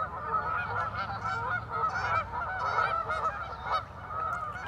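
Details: Geese at the Warner Park Lagoon on the Northside of Madison, Wisconsin, USA, a group calling together: dense, overlapping nasal honks repeated almost without pause, several birds at once, over a low background rumble.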